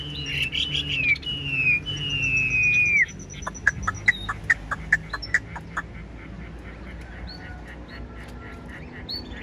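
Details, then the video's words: Caged Chinese hwamei singing: long clear whistled slurs that sweep down, then a series of sharp clicking notes repeated about twice a second, with a low hum in the background. "Đuôi xòe hót không bỏ mỏ, chất giọng cực hay"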